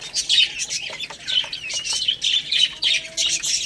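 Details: A group of baby chicks pecking rice calls nonstop with piercing, slightly wavering cheeps, close together and fairly loud, over a background of quick tapping.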